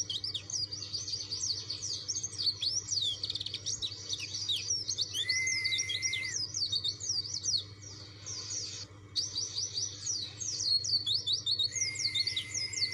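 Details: White-eye of the dakun type, a caged songbird, singing persistently to challenge rivals: rapid high, twittering runs of zigzag chirps, with two long steady whistled notes near the middle and end. A low constant hum sits underneath.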